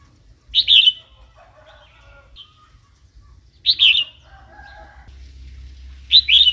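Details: Wild-style song of a red-whiskered bulbul used to stimulate new, wild-caught or young birds: three loud rich warbled phrases spaced about three seconds apart, with quiet lower twittering and faint low rumble between.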